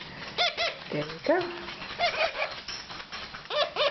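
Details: Baby mustached parakeets being hand-fed oatmeal at feeding time on April 22, 2009, give short arched beeping calls, some in quick pairs, from several spots through the moment, mixed with a person's speech indoors.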